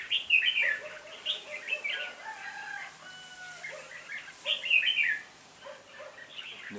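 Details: Lead decoy red-whiskered bulbul calling to lure a flock toward a trap, recorded 26 November 2017; lively bubbling, chattering phrases with a few steady whistled tones, then a brief quiet gap before more chirping.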